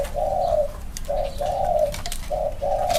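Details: Male spotted doves compared for their cooing style; smooth, low, hollow coos come in paired phrases, a long note followed by a short one, repeating about every second, with scattered clicks and knocks.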